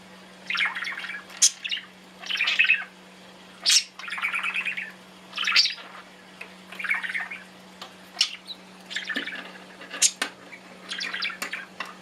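A budgerigar chatters in bursts of scratchy warbles and sharp chirps, with a steady low hum behind.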